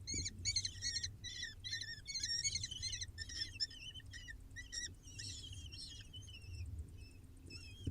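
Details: Feeding time for six falcon babies on a live nest cam: a loud, rapid run of harsh arched begging squeals that thins into sparser, quieter wavering cries toward the end, over a low rumble.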